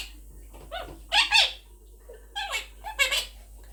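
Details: A pet Quaker parrot, or monk parakeet, talking and singing along with its owner indoors: short harmonic vocal bursts, some rising and falling, spaced irregularly, with soft room noise between them.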